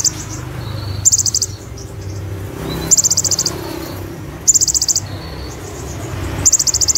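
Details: An active olive-backed sunbird delivers rapid song bursts copying Cililin and Ciblek: four quick, high-pitched rattling trills, each under half a second, separated by gaps of about one and a half seconds, over a low rumble.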